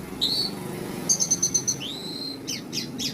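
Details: Asian pied starling (jalak suren), used to lure nervous starlings: short high whistled notes, a run of rapid clipped pips, a long rising whistle, then harsh falling chirps.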